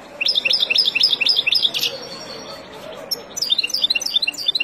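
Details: Wild European goldfinch singing, a recording meant for teaching young birds: quick runs of high, liquid twittering notes in bouncing groups, a short pause, then another fast twittered phrase.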